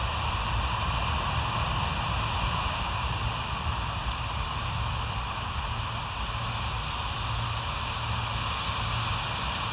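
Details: Steady broadband hiss with a constant low hum and faint rumble, like wind or distant traffic, and no animal calls heard.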